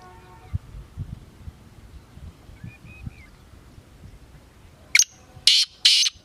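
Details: Kala teetar, the black francolin: after several seconds of faint background, a short harsh note is followed by two longer rasping, grating notes at the end.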